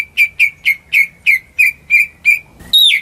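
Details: Greater green leafbird kept at home, sung to set off silent birds: eight sharp, downslurred chirps repeated about three times a second, ending in a louder, higher sliding whistle.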